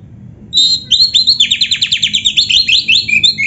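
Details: Oriental magpie-robin, black-breasted, singing a tutor recording for caged birds: a clear opening whistle leading into a fast, steady chatter of repeated downward-sweeping notes lasting several seconds.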